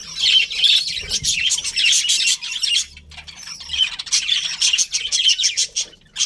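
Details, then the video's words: Colony of colourful budgies with a breeding pair, a dense chatter of squawky, scratchy chirps and warbles crowded into rapid overlapping bursts, with brief lulls between. "Colourful Budgies Chirping Sounds"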